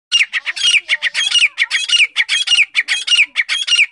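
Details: Grey francolin (teetar) calling: a loud harsh series of rhythmic squawking notes, close to two per second, each with a grating ringing quality, continuing throughout without pause.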